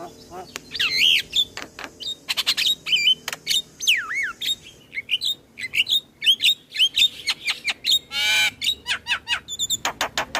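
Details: Morning song of a Javan myna, meant to set young mynas singing: varied loud medley of sweeping whistles, sharp clicks and a rattling burst, packed densely.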